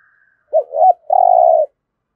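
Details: One spotted dove phrase in the 'thổ' style, a lure for getting newly caught birds to call: a short hooked note, a rising second note, then one long, even, slightly buzzy coo. Silence before and after.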